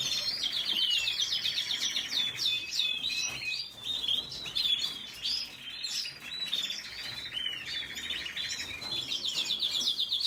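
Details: Long rambling red siskin song: scratchy twittering, quick whistled slurs and buzzy rattling trills that open and close the passage, barely pausing throughout.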